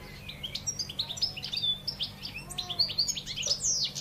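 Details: Caged wild European goldfinch from Algeria in continuous song: fast, bright twittering of short chirps, slurred whistles and buzzy trills jumbled together in a high register. A steady low hum runs underneath.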